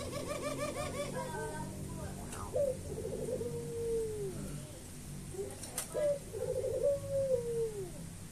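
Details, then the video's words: A white Barbary dove gives two long, rolling coos, each a low purring phrase that swells and then slides downward, about three seconds apart, over a faint room hum. "Sound of bird gacor puter putih gacor"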